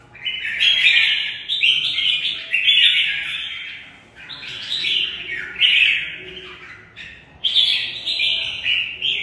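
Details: Caged red-whiskered bulbul in contest song, delivering rapid rich warbling phrases in long strings with short pauses, loud and steady throughout.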